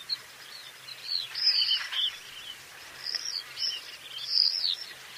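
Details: Common swifts giving thin, high, buzzy screams in short bursts, with louder flurries around the middle and end, over a steady low hum.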